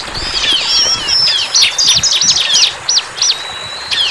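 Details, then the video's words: Wild bar-winged prinia song opening with a flowing run of high slurred whistles, then breaking into separate arched chirps spaced a few per second, ending with a short level note. "CIBLEK GACOR"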